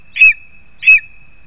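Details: Lesser spotted eagle at the nest as the parents deliver food to the young, 2 August 2020: two loud, clipped yelps about 0.7 seconds apart over a faint continuous high whine.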